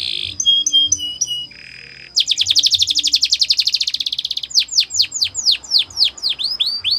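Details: Singing canary in a training song: short whistled notes and a low buzz, then a fast rolling trill and a series of sharp downward-sweeping whistles.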